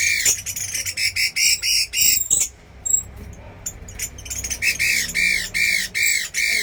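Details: Chinese hwamei tested as a fighting bird, uttering rapid runs of rasping, arched squawks, a short quiet pause with scattered clicks, then another fast series of harsh repeated notes.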